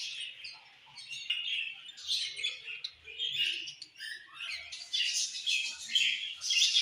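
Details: Budgerigars singing in the evening: bursts of chattering warble, high chirps and scratchy notes that swell and fade every second or so.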